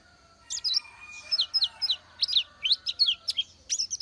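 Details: Oriental white-eye song: a steady string of high, thin, downward-sliding chirps, about three per second, with a faint low hum in the background.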